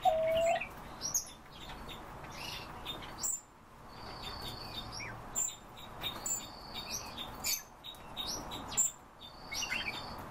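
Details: Captive chestnut-tailed starling (Sturnus malabaricus) calling: thin, high whistled notes and short chirps, several held at one pitch for about a second, among scattered chatter and faint background noise.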